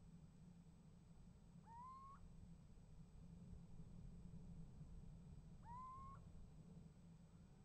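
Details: Nest box little owl on 28 January 2015 calling and being answered: two well-separated, drawn-out rising mews about four seconds apart, with steady low background noise.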